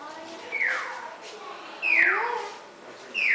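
Hartlaub's turaco gives three harsh, falling notes, each sliding down from a high start, spaced just over a second apart.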